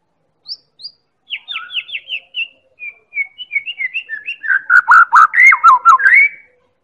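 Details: Medan white-rumped shama singing as a lure to draw song from other birds: thin high chips accelerate into a series of descending whistles, ending in loud rolling slurred whistles.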